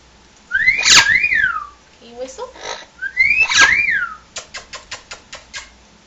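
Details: Female pet parrot throwing a fit indoors, making a mess while scolded for growling: two loud rising-falling shrieked whistles, a low grating growl between them, then a string of six quick clicking notes.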